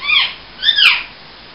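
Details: A pet rose-ringed (ring-necked) parakeet talking gives two high, squeaky, speech-like syllables in quick succession, each arching up then falling, in a quiet room.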